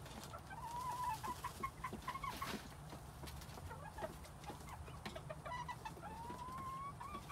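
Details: Quails recorded in spring 2021: a string of short, thin whistled notes early on, then a longer rising whistle near the end, over a steady low hum and scattered clicks and taps.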